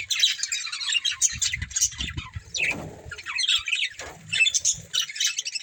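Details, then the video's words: Budgerigars, a breeding pair, chirping in short bursts of high scratchy twitters and squawks, alternating with brief pauses, over low rumbling background thuds. "Beautiful Budgies Chirping Sounds"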